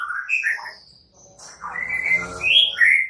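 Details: White-rumped shama in Indonesia, a lively singer with cililin and prenjak, used as a lure to provoke idle shamas into singing. Quick varied whistled phrases rise and fall, a rough buzzy middle stretch, then bright high sharp notes.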